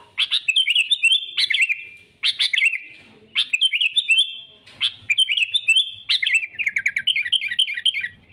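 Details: Sooty-headed bulbul singing to draw rivals for trapping: bright, bubbly phrases of quick warbling notes, each burst about a second long and repeated roughly every 1.2 seconds, with a longer rolling run near the end.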